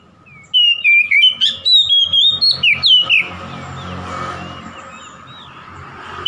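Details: Oriental magpie-robin singing to provoke a rival: loud clear whistled phrases with sweeping slurs and sharp notes in rapid bursts over about three seconds, then fading to quiet background hiss.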